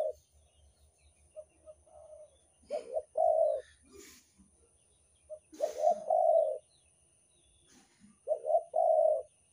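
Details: Spotted dove (derkuku) lure sound from Banten: three throaty coo phrases about two and a half seconds apart, each a few quick notes rising into a long rolling coo, with soft clicks and knocks between.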